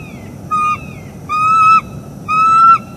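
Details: Bald eagles, a wild mated pair on a northeast Florida nest cam, 25 October 2021 morning: a short whistle followed by two longer ringing notes with harmonics, spaced about a second apart.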